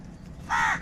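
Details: One short, rasping caw from a crow, loud and abrupt, lasting about a quarter second after near silence.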